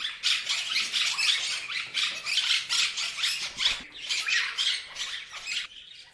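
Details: Loud, nonstop parrot squawking and chirping, harsh rasping calls repeated several times a second for six seconds, easing off at the close.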